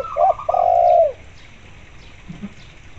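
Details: Lively spotted dove accompanied by local zebra dove calls, played as a lure for zebra doves: one low phrase of two short coos and a long falling coo, overlapped at the start by a higher quick trilled zebra dove coo, then quiet.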